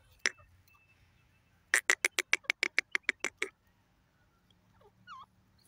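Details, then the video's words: Francolin pair (teetar, dakhni teetar) calling: one sharp note, then a quick run of about ten loud, harsh, evenly spaced notes, followed by a faint squeaky sound. "teetar ki boli dakhni teetar pair voice"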